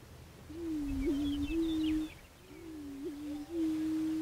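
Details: {'caption': 'Prairie chicken uttering two deep, hollow, hooting moans in succession, each with a quick pitch flick near the middle, against faint high bird chirps and low rumble.'}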